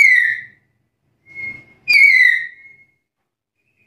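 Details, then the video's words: Black-capped lory in full voice, challenging a rival: loud clear whistles sliding down around a bright pitch, one long note about every second and a half with a brief thin tone between, quiet room otherwise. "Suara burung nuri kepala hitam gacor menantang lawan"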